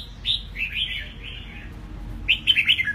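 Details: Eight-month-old red-whiskered bulbul kept in a cage, freshly moulted, delivering a rich, rolling whistled phrase followed by a quick burst of sharper, chirpy notes; a faint low hum sits underneath.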